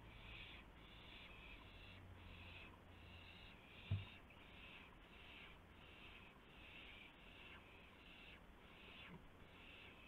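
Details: Owl at the nest late at night in March 2016, during a delivery of a gopher as prey. Rough, noisy hisses come in a steady train of short bursts, with one sharp knock partway through over a faint low hum.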